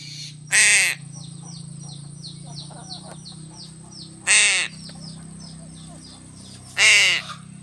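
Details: While being fed fish, a crow gives three loud, hoarse caws spaced a few seconds apart over a steady low hum, with faint high chirping of small birds in the background.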